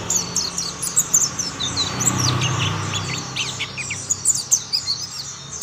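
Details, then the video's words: Mountain white-eye song that draws other white-eyes into singing: rapid high twittering and thin chirped notes in quick runs, over steady low hum and background noise. "Tidak butuh waktu lama pleci Monty lain pasti ikut bunyi"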